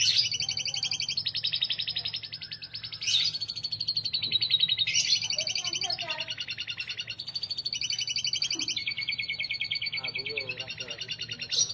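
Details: Canary pouring out an unbroken song of high, rapid rolling trills that jump between pitches every one to two seconds, with faint low background sounds underneath.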